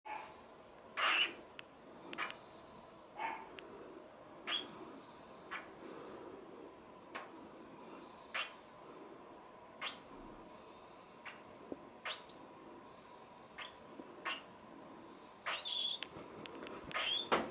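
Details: Young hand-reared cockatiels, moments after being fed, give short, raspy chirps and squeaks at irregular intervals in a quiet room.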